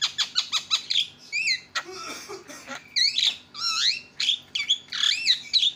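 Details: Javan myna delivering loud senior-style tutor song. Rapid clicking notes give way to wavering whistles, a rough noisy rattle with low croaks, then looping squealed whistles that slide up and down.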